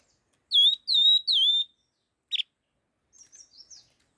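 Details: Laughingthrush, described as rufous-tailed, in fast-paced 'kích' singing: three loud clear whistles, each dropping then levelling off, about 0.3 seconds apiece, followed by a short sharp burst and a few faint, higher twittering notes. No other sounds.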